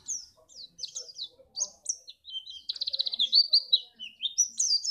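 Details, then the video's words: Song of a white-eye from Pacitan, Indonesia, meant to spur other birds into singing for contests: scattered high twittering notes break into a fast, buzzy trill, then more slurred high phrases. "pleci ini bisa membuat burung mu gacor"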